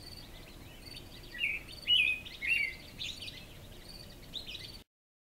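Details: Dawn chorus in spring with an American robin, recorded June 9, 2014 before the sun rises over a mountain: three short whistled, slurred caroling phrases in the middle, fainter notes afterward, over soft background noise.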